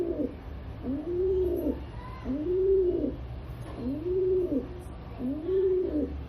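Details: Indian rock pigeon cooing: five low, rounded coos in a regular rhythm about every second and a half, over a steady background hum.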